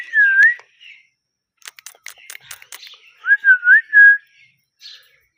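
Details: Pet parrot, called mithu, alternating wavering whistled notes with a burst of dry rapid clicks and chatter in the middle, followed by a looping whistle phrase of three quick notes and a faint final squeak.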